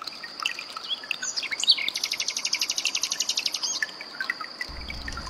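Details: Common nightingale song (sikatan londo 'tembakan' burst) mixed with trickling water for training cage birds: a rapid, high, even trill of about twenty repeated notes over two seconds, with scattered chirps and a steady high whine behind.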